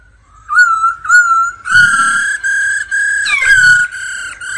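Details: A captive laughingthrush in daily song practice, accompanied by a female's "ro ro" calls, sings loud, clear whistles: a few short notes, then long level tones, with one sliding note near the end, and faint low thumps between phrases.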